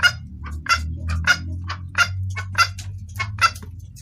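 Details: Hen red junglefowl calling the male, clear call for luring males: crisp, evenly spaced single clucks roughly every half second against a constant low droning background.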